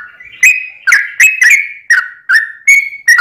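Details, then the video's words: Yellow-vented bulbul, its long 'ropel' song used as a lure for other bulbuls; mellow, slurred whistles gliding downward, each phrase opening with a crisp click-like attack, about three per second. "trucukan gacor ROPEL PANJANG buat pancingan trucukan agar bunyi"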